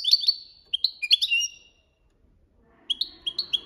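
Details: European goldfinch in the copia malaga style used for training songs: bright twittering phrases and slurred whistles, a brief silence, then a quick run of repeated rising chips.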